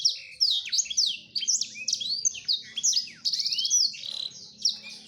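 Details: High, hurried courtship song from a male black-throated canary to a female: rippling trills, downward and upward whistled sweeps and buzzy rattles run together, with a steady low hum behind.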